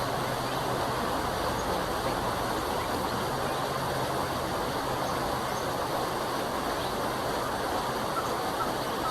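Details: Loud constant vehicle rumble and road noise fill the whole stretch, with no animal voices audible.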